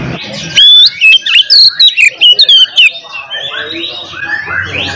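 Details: Oriental magpie-robin giving a combative song meant to provoke rivals, a quick string of bright whistles and sharp chips lasting about two seconds, after quiet hiss, trailing into softer twittering.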